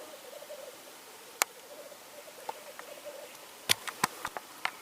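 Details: Black grouse in Norway on 8 May 2019: a low, continuous bubbling roll runs for over three seconds, followed by a cluster of sharp clicks and snaps.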